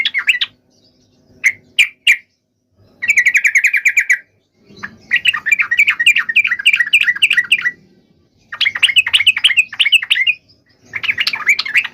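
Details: Yellow-vented bulbul delivering a fighting song to provoke replies from other birds: bursts of buzzy rattles and rapid chattering warbles separated by short silences, with a faint low hum behind.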